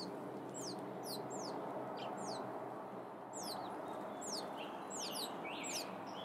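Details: Peeping of wild turkey chicks in the Sierra foothills, California, USA: sharp, high whistled notes that drop in pitch, clustered in short bursts with brief gaps, over continuous low outdoor noise.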